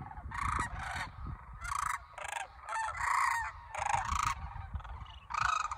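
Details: Local cranes in Homer, Alaska, restless with pre-migration energy on September 9, 2023 and flying up and down after a coyote scattered the flock, give loud, rolling, trumpeting calls in overlapping bursts about half a second long, over a low rumble of wind.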